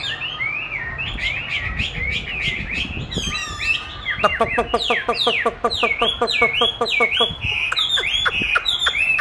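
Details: Chinese hwamei contesting a recording of its own song played to train it: varied whistled phrases, then a rapid run of sharp repeated notes with loud downslurred whistles repeated roughly every half second.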